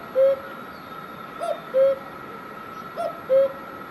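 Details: Cuckoo in Himachal Pradesh, India, giving its paired call: a faint upper note, then a clear, lower hooting note, repeated three times in four seconds over a constant background tone.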